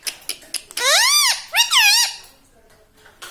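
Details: Household parrot that talks, said to say mummy and papa: two loud, arching, richly harmonic syllables about half a second each, framed by light clicks and taps of an indoor room.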